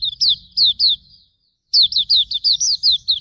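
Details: Training master recording of Hume's white-eye song: three clear high slurred whistles, a short silence, then a rapid series of about eight bright down-swept notes.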